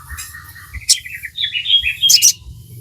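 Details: Crimson sunbird in full song for training caged birds: a fast, high, warbling twitter of sliding notes, broken by a couple of sharp clicks, with low background hum.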